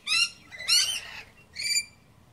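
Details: Wild lorikeets feeding on pear and apple give three harsh, screechy squawks about half a second apart, each rich and high-pitched with a grating edge.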